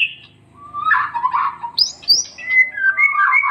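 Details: White-rumped shama (murai batu) master song for training: mixed warbled and buzzy notes, a high sharp whistled flourish, then smooth falling and rising whistles, faint low humming underneath.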